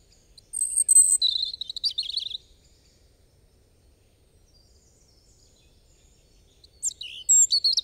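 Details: European robin singing: a high, thin warbled phrase of quick trills and sliding notes lasting about two seconds, then four seconds of quiet before another bright, sharp phrase begins; no other clear sounds.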